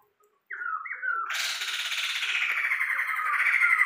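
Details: Tame caged Sumatran laughingthrush, described as very vocal, giving a short wavering whistle that breaks into a loud, harsh, sustained rasping chatter which keeps building in strength.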